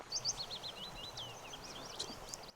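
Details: A willow warbler sings from a tree on the Isle of Mull in the morning: a sweet, high phrase of soft notes cascading gently downward over about two seconds, above a faint outdoor hush.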